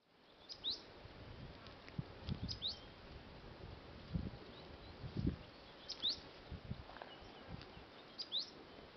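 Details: Cinereous tit recorded in Punjab, India, on October 6, 2024: short, thin, high notes that sweep downward, given singly or in quick pairs every two seconds or so over soft rustling and low background thumps.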